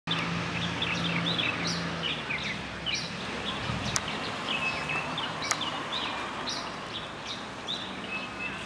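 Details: Dusky thrush calling: short high chirps and squeaky notes repeated rapidly and irregularly, several overlapping, over a steady low hum and faint outdoor background noise.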